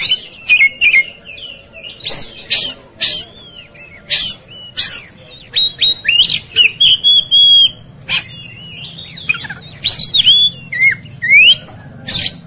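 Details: Agitated Oriental magpie-robin in a fight, singing a dense stream of rapid harsh rasps, clear whistled notes and upslurred phrases almost without pause.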